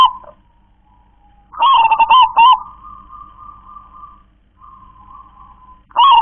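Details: Zebra dove of local stock singing in KONG-KLAR-KE-TEK-KONG style: a loud burst of clipped coo notes trailing into a long, soft, steady coo, with another burst starting at the end.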